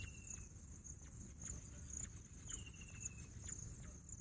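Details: Two drawn-out whistles from a bush quail (Pahadi Bater), each falling slightly in pitch, set against a continuous high-pitched insect chorus.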